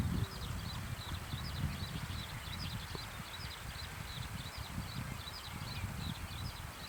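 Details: In an evening field, a zitting cisticola gives a continuous run of short, high, sharp chip notes at a fast even pace, over heavy low-pitched rumbling background noise.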